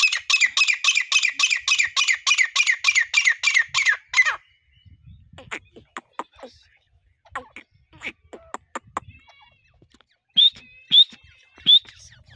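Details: Hunting-lure partridge delivering a rapid run of rasping squawks for about four seconds, followed by faint clicks and knocks and a few closing rising whistles.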